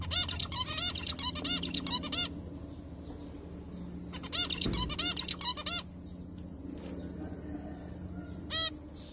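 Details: Zebra finches singing together while eating, in bursts of nasal, buzzy, toy-trumpet notes with rapid chirps in between.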